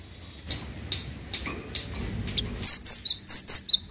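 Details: After a few seconds of soft background noise and faint chirps, a cinereous tit bursts into loud, high, sharply slurred paired notes, repeated quickly to the end.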